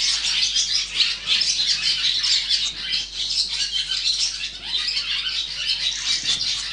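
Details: Young barn swallows in the nest being fed and raised, a loud chorus of shrill, overlapping chirps that rise and fall in waves throughout.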